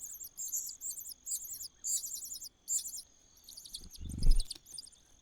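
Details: Common cuckoo in a nest begging: a run of short, high, rasping hiss bursts in quick succession, fading toward the end, with a dull thump near the close.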